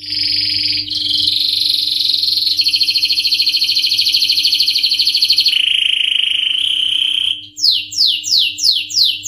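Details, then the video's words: Canary in full 'ngerol nembak' song: a long, loud, buzzy rolling trill held for about seven seconds and shifting pitch twice, then a quick series of high downward-sweeping notes; faint electrical hum beneath. "KENARI GACOR NGEROL NEMBAK | CANARY SINGING"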